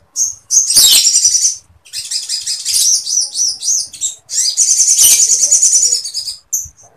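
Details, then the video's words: Sooty-headed bulbul (sogon) singing in full, loud form with long imitation phrases of woodpecker-like material, a dense, high, rapid chatter of buzzy trills and sharp chips in long unbroken bursts with brief pauses between phrases. "SOGON GACOR NGLEPER FULL MATERI PELATUK SAMPIT"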